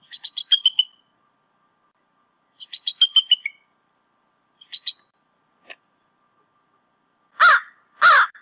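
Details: Bald eagles, both adults of a pair at the Decorah North nest on a nest cam, late morning to early afternoon on 28 February 2016, male having brought a fish. Two bursts of rapid, high chattering chirps, a few lone notes, then two harsh lower calls.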